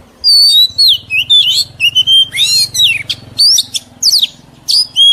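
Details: Song of a mature wild Oriental magpie-robin for training young birds' voices. Loud, sweet whistles are clearly spaced, some rising and some falling, mixed with raspy chatter, over a faint low hum.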